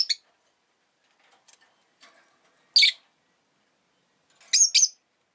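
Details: Pet rosy-faced lovebird: faint scattered ticks, then a loud rasping chirp, then a double harsh chirp near the end.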